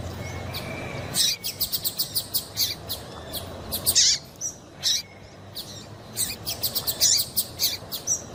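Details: Female double-collared seedeater calling to stir a male into singing, as breeders do before song tournaments; sharp high chirps and short downswept notes in loose bursts, with a faint low rumble early on.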